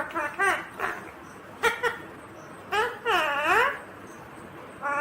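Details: Indian ringneck parakeet, a green parrot, talking: short harmonic bursts with rising and falling wavering tones, several separate utterances over a few seconds, one longer arched phrase near the middle, in a quiet room.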